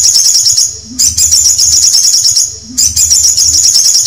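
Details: Canary giving dense, shrill rolling trills that run steadily for over a second and a half each, broken by two short pauses.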